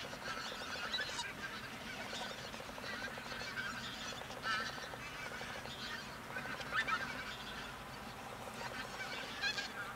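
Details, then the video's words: Part of a large flock of pink-footed geese feeding on left-over grain near Verdal, Norway, in October 2018 keeps up a continuous chatter of overlapping high, nasal honks and yelping 'wink-wink' calls. "Pink-footed Geese feeding"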